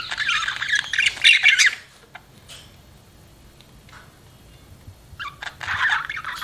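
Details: Budgerigar chirping: a loud raspy chattering phrase, then near silence with a few faint clicks, before another burst of squeaky chatter starts.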